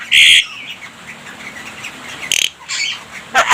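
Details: Javan myna in a song stuffed with mimicked human voice and coughing sounds: two loud, harsh rasping bursts, each under half a second, separated by quieter scratchy notes, with a short crackle at the end.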